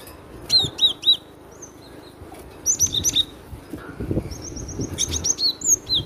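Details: Loud song of a cinereous tit: bright, downslurred whistles repeated in rapid groups, with a higher thin note series near the end. Some low thumps and background rumble come between the phrases.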